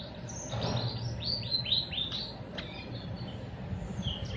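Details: Sunda whistling thrush giving a quick run of high, downward-slurred notes at about four per second, then scattered softer notes, over low background noise.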